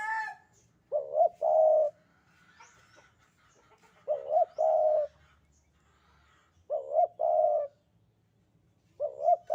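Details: Spotted dove of the Javan type calling busily in the sandungan kuk 2 style, giving low, mellow coo phrases of short paired notes and a drawn-out final coo, with faint chirps from other birds between phrases.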